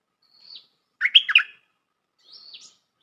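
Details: Bulbul lure call for trapping: a thin high whistled slur, then a quick bubbling chatter of four or five warbled notes, then another thin slurred whistle. Quiet background.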